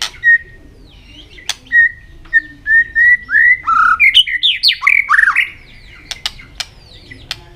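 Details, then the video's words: White-rumped shama singing competitively with repeated tail flicks: a string of short level whistles speeds up into a rich rapid phrase of swooping, rising and falling notes, then sharp clicks follow. "chòe lửa hót đập đuôi liên tục,kích chòe lửa hót đấu căng lửa sổ nhiều giọng"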